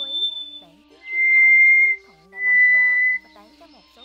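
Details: Scaly thrush call used as a lure for night net trapping of migrating birds in 2024: two long, steady, thin whistled notes, each about a second, on slightly different pitches, over a faint musical background.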